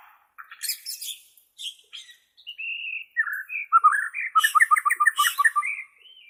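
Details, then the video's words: White-rumped shama from Borneo, for training captive shamas: scattered high scratchy notes, then a flowing whistled phrase building to a rapid, rhythmic run of bubbling notes around mid pitch. "SUARA ASLI BURUNG MURAI BORNEO"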